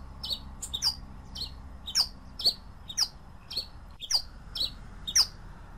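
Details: Pileated finch song of high, quick downslurred chirps at a steady pace, each note accompanied by sharp dry clicks, with a faint low hum beneath.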